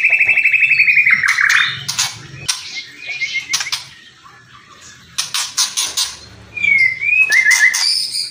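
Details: White-rumped shama song in the kretekan and whistling style: a rapid run of whistled notes near the start, then sharp crackling rattles and bursts, and a short twisting whistled phrase near the end. There is a faint low hum underneath.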